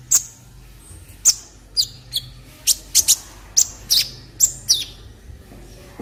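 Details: Olive-backed sunbird song used to tutor other birds: a string of sharp, very high chips and short slurred notes, roughly two per second, over faint background hiss.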